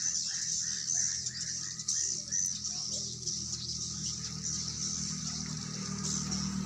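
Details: Swiftlets inside a building in Sibolga, Indonesia, where their numbers are growing: a dense, steady high hiss of overlapping chirps with a row of short repeated mid-pitched chirps, over a low mechanical hum and faint voices.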